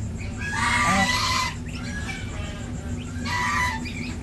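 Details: Domestic goose in a village farm in India, filmed with a six-day-old gosling: two loud, harsh, nasal calls with stacked overtones, the first longer and the second shorter, with faint high peeps and a steady low hum behind.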